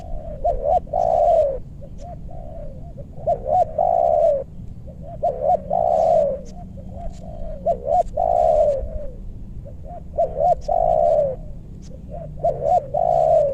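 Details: Spotted dove trapping session in a meranti forest, West Bogor, targeting birds with big voices. Repeated coo-coo-croo phrases come in steady succession, each closing on a long, falling note, with brief clicks between.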